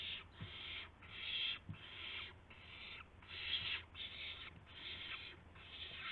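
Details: Owls at 5:50 AM on 26 March 2016, with a gopher and a mouse as prey. Eight rasping hiss bursts come at fairly even intervals, with faint low knocks between them.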